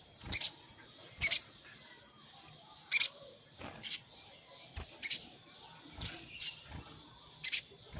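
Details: Used to lure hard-to-trap wild sogon, a sogon calls to a rival: crisp, very high chirps singly and in pairs, spaced one to two seconds apart over a steady electronic whine.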